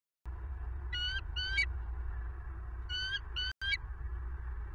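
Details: Bald eagle at a nest in southwest Florida, recorded by camera near 11 pm on 25 November 2022: two pairs of high, squeaky piping notes separated by a pause, above a steady deep rumble.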